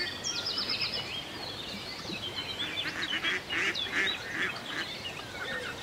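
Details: Several ducks at a lake in the countryside quack in loud uneven bursts, nasal and coarse, while thin high chirps of other birds and a soft watery hiss run underneath.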